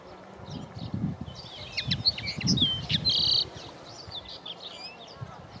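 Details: Common linnets at Walthamstow Marshes, London, in May 2020, three birds including one female, recorded on a Panasonic FZ80/82 camera: bright, rapid twittering chirps in quick bursts over a low rumble of wind or handling noise.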